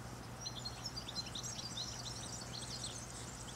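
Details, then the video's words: A European goldfinch, recorded around eleven in the morning, sings a quick, tinkling run of high twittering notes without pause, repeating a phrase with insistence on the last repeat, over a steady low hum. "Chant d'un chardonneret élégant"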